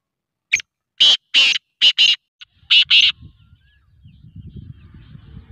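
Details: Black francolin calling during training, a run of loud, harsh, grating notes delivered in quick bursts and pairs over about two seconds, then quiet with low background rumble.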